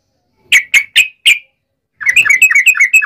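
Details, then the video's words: Yellow-vented bulbul fighting song meant to make others answer: four loud separate chips, a pause, then a rapid stream of bubbly, squeaky notes. "trucukan gacor TARUNG NGALAS UPLIK ROPEL ini PALING AMPUH bikin burung trucuk gacor NYAUT SEKETIKA"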